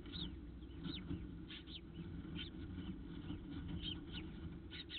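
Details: Female peregrine falcon Diamond at the nest comforting her first eyas, hatched early that morning. Thin, high, downslurred chirps repeat irregularly, roughly two a second, over a steady low rumble.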